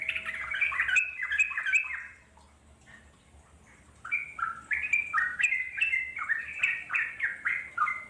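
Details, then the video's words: Wild Yellow-vented Bulbul in long chattering song: quick bursts of bubbly, warbled notes that rise and fall, a two-second pause, then a run of short, slurred phrases repeated almost without break. "puterin suara trucuk alam di jamin lasung nyaut NGEROPEL PANJANG"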